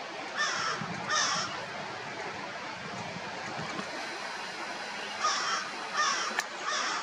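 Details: An Eastern Kingbird looking for insects on the shore of Big Bay de Noc gives short, harsh, buzzy notes in two brief bursts, first two then three, over steady wind or surf.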